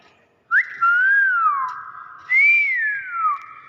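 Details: Common hill myna, seemingly a talking pet, giving two loud, pure whistled phrases, each rising sharply then sliding gently down, in a quiet indoor setting; the myna mimics greetings such as "Assalamualaikum".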